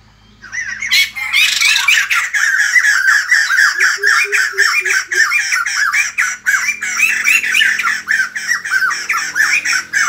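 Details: White-crested laughingthrush song, greeting the morning: a dense, loud stream of harsh, chattering, squawky notes, rapidly repeated and overlapping from about one second onward, with a faint low hum underneath.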